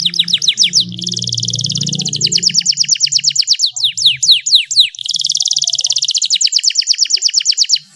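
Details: Canary singing a lure song intended to prompt lazy singers: quick high trills, a passage of slower downswept whistles around the middle, then another long rolling trill, with low hum early on.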